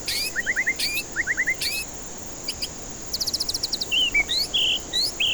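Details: White-rumped shama song used as a lure to rouse stressed birds that won't sing: short rising whistled triplets, high buzzy bursts, a fast even series of sharp notes, then several sweeping and flat whistles.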